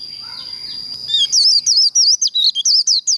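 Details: Japanese white-eye líu đấu contest training: faint mixed background sounds give way to a fast sequence of sharp, high, looping chirps over a steady thin whine.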